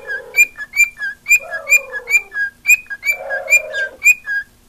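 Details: Whistled song of a female pet cockatiel that loves attention: steady paired notes, a higher slurred whistle then a lower one, repeated rapidly, with low raspy warbling threads running beneath several phrases.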